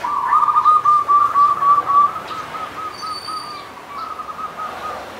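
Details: Local Punden-type zebra dove singing on the slopes of Mount Slamet, Banyumas: a long, fast, rolling trill of cooing notes held at one mid pitch for about five seconds, fading slightly toward the end.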